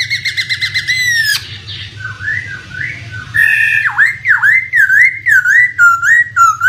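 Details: Poksay lure song: quick repeated ticking notes open the phrase, then loud swooping whistles that dip and rise, repeated several times a second, with a low water-like rumble behind.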